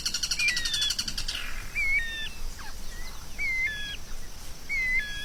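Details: White-rumped shama singing, offered for masteran tutoring of songbirds: a buzzy rattling trill fades out, then bright whistled phrases ending in a sharp hooked note follow roughly every one and a half seconds.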